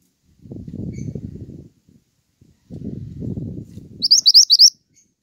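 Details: Pied triller heard in tutor audio for songbirds: two bursts of low rumbling noise, then a short, fast run of high, rising, whistled chirps.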